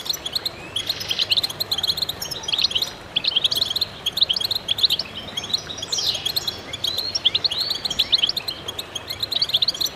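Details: Chorus of goldfinches singing together: dense, overlapping high twittering and bright chirps, with quick rising and falling notes running continuously throughout.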